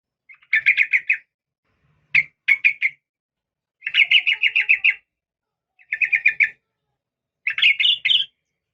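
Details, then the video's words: Calling female yellow-vented bulbul: repeated bursts of rapid, trilled chattering, five groups over about eight seconds, the final burst rising slightly at the end, with a soft thump near the start of the second group. "suara trucukan betina memanggil jantan"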